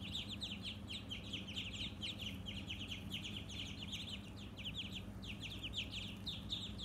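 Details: Ducklings on a farm keep up a dense, continuous chorus of high, rapid peeps that overlap throughout, over a low background hum.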